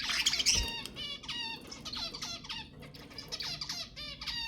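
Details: Budgerigar warbling meant to stimulate breeding: a loud harsh burst, then quick repeated rattling clicks and buzzy notes, about three or four per second.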